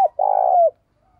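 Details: Single long, level coo from a decoy spotted dove calling wild birds in the morning, held for about half a second and sliding down at the end, just after the tail of a preceding note.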